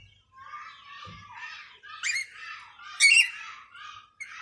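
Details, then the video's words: Parrot making varied sounds: a chattering run of harmonic squawks and whistled notes, with one louder, sharper squawk near the end, recorded indoors with little other noise. "Cute Parrot talking"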